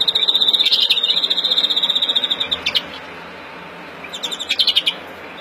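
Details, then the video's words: A mutation European greenfinch gives an excited breeding song, a fast, high, dry trill of about twenty notes over three seconds, pauses, then starts another rapid burst; recorded April 2016. "Kızgın flurya kuşu üretim ötüşü"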